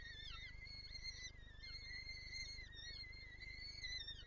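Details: An insistent peregrine falcon in Lublin, Poland, on 23 April 2024, eager to feed its young, gives nearly unbroken harsh, nasal wailing with slight wavering pitch, backed by a low electrical-sounding hum.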